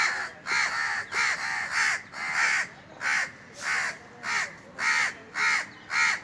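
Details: Rapid series of about thirteen hoarse caws from Indian crows at the top of a tree on a very hot summer day, some calls doubled, the rhythm quick and fairly regular.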